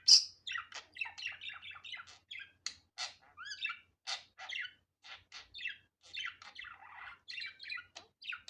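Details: Steady budgerigar warbling: a long series of short high chirps, clicks and rising-falling whistles, a few notes per second without pause.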